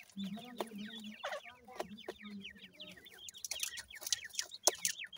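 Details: A brood of Grey francolin chicks, offspring of a gora teetar male and dakhni teetar female, peeping continuously in quick descending chirps over a low steady hum and occasional sharp clicks.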